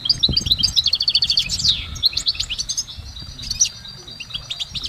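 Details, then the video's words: Goldfinch singing outdoors: quick sequence of bright chirps, a fast ringing trill and a descending slur, followed by scattered softer tweets. "Exceptional recordings of the goldfinch in nature"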